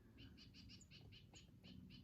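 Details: A Black-crested Titmouse in a small mixed flock at Chaetura Canyon sanctuary, October, gives its loud, distinctive call: a quick run of about ten high, buzzy notes in two seconds over a low background rumble.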